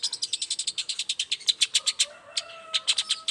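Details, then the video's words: Long-tailed shrike singing in the morning as a lure to set other shrikes calling. A fast, even rattle of buzzy notes, about eight per second, pauses briefly and resumes, over a soft background hiss and a thin whistle. "toet toet Suara cendet gacor Pagi Hari pancingan jitu BIKIN cendet diam langsung nyaut ikutan bunyi"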